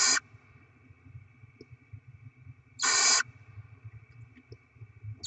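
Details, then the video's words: Barn owl at the nest during rodent feeding, 7 February 2024: harsh, breathy screeches roughly every three seconds, each about a third of a second, with steady hum and low background rumble between. "Barn Owl Kangarobin - Płomykówki Syd & Mel - Dostawy gryzoni - Karmienie maluchów"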